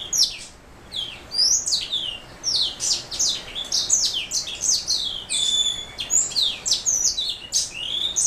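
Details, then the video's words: Black throat mule, a canary hybrid, in continuous song: fast, high, sweeping chirps and twitters strung together without a break, with a few brief clear whistled notes. "Black throat mule"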